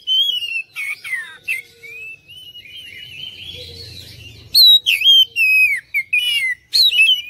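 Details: Oriental magpie-robin song intended as a lure to make other birds sing and reply: loud downward-sweeping whistles and chips, a quieter warbled middle section, then renewed bright whistled bursts.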